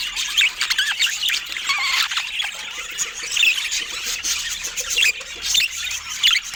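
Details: Budgerigars squeal and warble in short bursts, high rising chirps and buzzy squawks with pauses between louder phrases, over a soft background hiss.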